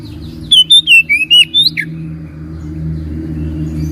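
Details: Magpie-robin song used to coax a silent bird into answering: a brief phrase of about seven bright whistles stepping down then up, followed by low steady humming.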